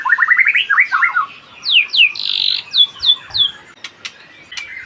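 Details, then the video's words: White-rumped shama singing: a rapid run of rising chirps, then loud downward-sweeping whistles and a burry squawk, followed by sharp clicks and a final warbled phrase. "burung murai batu"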